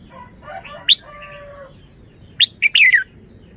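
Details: Red-whiskered bulbul singing: soft low warbled notes, then a sharp upslurred note and a bright, quick liquid phrase of three bubbling notes near the end, with quiet background hiss.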